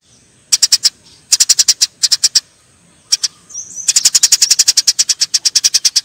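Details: Eurasian tree sparrows fighting: bursts of sharp, high chirps repeated quickly in runs of four to a dozen, with short pauses, ending in a long unbroken chattering series.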